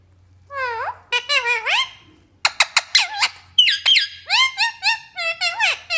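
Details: Parrot talking nonstop in a small room: fast, chattering, voice-like syllables with swooping pitch, a short gap after two seconds, then denser squeaky phrases and falling notes to the end, over a faint low hum.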